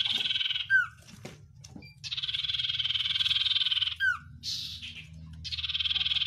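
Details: Oriental white-eye giving 'sirtu isian luber banyak pedes' song: repeated long buzzy rattles, each ended by a quick falling slurred whistle, three rattle bouts in a row over low background hum.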